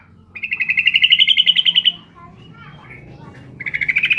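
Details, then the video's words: Female sooty-headed bulbul calling the male: a rapid rattling trill of about fifteen buzzy notes rising slightly in pitch, then a pause and a second shorter trill. "trucuk betina memanggil jantan"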